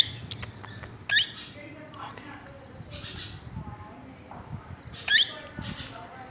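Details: Plum-headed parakeet giving two sharp, shrill squawks about four seconds apart, with softer chattering notes and faint voice-like murmurs in between.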